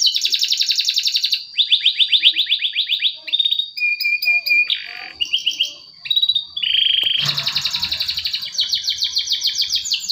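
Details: Canary song used to prompt silent canaries to sing: buzzy rapid trills alternate with short chips, steady held whistles and brief pauses, then a loud fast rolling trill runs to the end.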